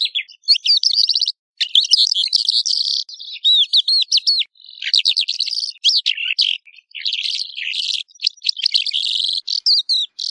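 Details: Song of a Calandra lark, a dense, hurried medley of high chirps, slurred whistles and scratchy trills that pours out almost without pause, briefly dipping lower in places.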